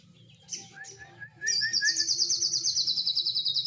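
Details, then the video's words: Cililin song used as training material for songbirds: a few soft, evenly spaced mid-pitched notes, then a long, rapid, high trill of about ten notes a second that slowly falls in pitch. A low background hum runs throughout. "Sogon materi cililin ngalun vol toa"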